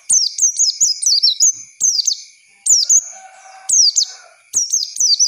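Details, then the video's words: Lure song of an Oriental white-eye for teaching young birds: bursts of shrill, high, downward-slurred tweets repeated about once a second. Brief gaps separate the phrases, and a soft lower whistle appears in the middle. "Pancingan pleci bahan untuk belajar ngalas"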